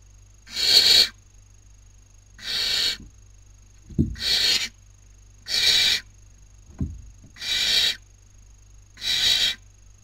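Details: Barn owl owlets at a nest camera in Cabañeros National Park, Spain, 2019 breeding season, competing over food. Six loud breathy hisses spaced irregularly, plus two brief low thuds of movement.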